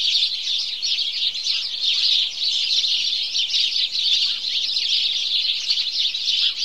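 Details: Noisy morning gathering of house sparrows, continuous high cheeping and chattering from many birds forming one lively, unbroken chorus.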